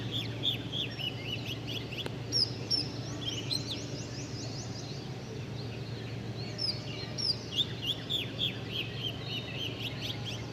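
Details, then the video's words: Several small birds chirp in quick, high, downward-sweeping notes, overlapping in busy bursts over a steady low hum of background noise. "Sweet Birds 🐦Chirping Sounds"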